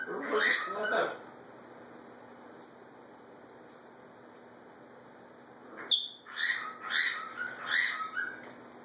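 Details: Pet macaws interacting as a pair. Two squawks open the clip, then a long quiet stretch follows. After a sharp click, a run of four rasping calls comes in quick succession.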